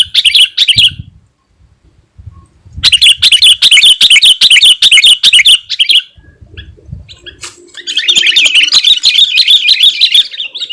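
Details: Sooty-headed bulbul (kutilang) in full song, used to lure wild birds and provoke rival birds: dense bursts of rapid, high, chattering chirps in three loud stretches separated by brief pauses, the last stretch continuous and slightly softer.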